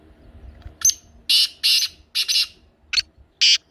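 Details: Black francolin (kala teetar) calling, a recording for making a pet francolin call: a short note then paired long grating notes, a split double note, and two more harsh bursts, all loud and raspy.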